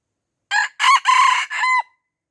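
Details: Red junglefowl in Aceh, surrounded by young birds and declining to fight, crows loudly and close: a short first note, two long harmonic syllables, and a drawn-out final note ending with a slight drop.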